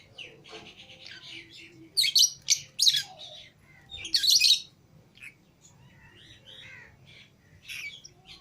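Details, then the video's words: Several pet lovebirds, a green Fischer's pair and a lutino pair, let out of the cage together indoors; bright chirps and harsh squeaky notes in bursts, loudest in a cluster around two to four seconds, with quieter twitter between. "Love Birds Singing And Chirping Sounds"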